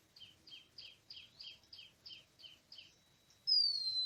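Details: Oriental magpie-robin in the wild, in a forest during bird trapping on 24 March 2017. About nine paired chirps are repeated roughly every third of a second. A loud, clear whistle then slides downward.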